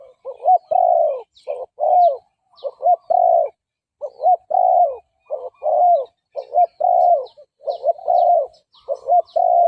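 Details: Spotted dove decoy cooing meant to lure and provoke wild males into fighting; rapid runs of short, mellow, bending coo notes, about forty-seven a minute, with slightly irregular spacing and faint high chirps from other birds.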